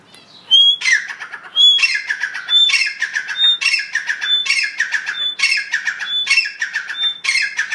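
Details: Chukar partridges calling, a loud close series of harsh, squawking bursts, each opened by a brief clear whistled note, repeated roughly once a second in an uneven rhythm over a quiet background.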